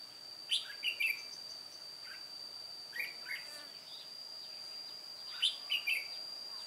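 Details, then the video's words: Aged decoy red-whiskered bulbul with white cheeks singing solo for trapping, 1 July 2018; phrases of three quick chirpy warbles at the start and end, softer notes between, with a continuous high-pitched whine throughout. "Bẫy chào mào Má trắng Chơi solo mồi già"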